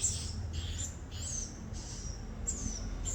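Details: Swiftlets uttering high, slurred chirps in an irregular sequence of about five notes over a low hum.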